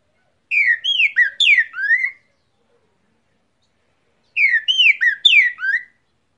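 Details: Cockatiel imitating the great thrush (trinca-ferro) song. The same rapid phrase of about six slurred, clear whistles is given twice, with a silent gap of roughly two seconds between the two.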